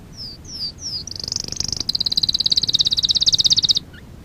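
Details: Canary used for song training delivers three quick descending high whistles, then a dense very high rapid trill of evenly repeated notes lasting about three seconds before stopping abruptly.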